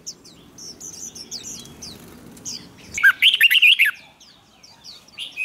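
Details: Competitively singing red-whiskered bulbul, used for training: scattered thin high chirps, then a loud second-long run of rapid warbled whistles, followed by softer notes.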